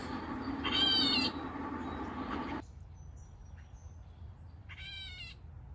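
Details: A gray catbird calls in the background outdoors, giving two nasal mews like a meowing kitten, about four seconds apart, each slurring slightly down; a steady rushing noise sits under the first call.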